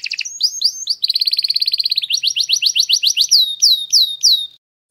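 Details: Domestic canary giving an error-free song to teach chicks: a fast buzzy trill, a run of rising slurred notes, then slower, ringing downward whistles before falling silent.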